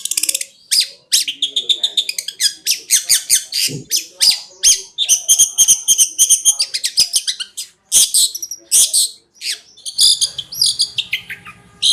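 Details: Long-tailed shrike (cendet) master song for training, konslet style: a long, rich medley of quick chattering notes, whistles and harsh rasps with very few breaks, and a low hum near the end.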